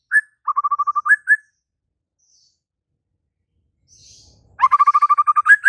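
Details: White-rumped shama song: a quick, even rattle of about eight identical notes ending in up-slurred whistles, then a faint hiss, and the rattle and whistles repeated more loudly.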